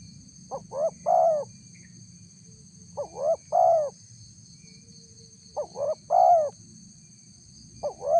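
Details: Spotted dove call used as bait to draw a reaction from wild doves. Hollow phrases of two brief rising notes plus a sustained coo repeat about every two and a half seconds, with a high background whine.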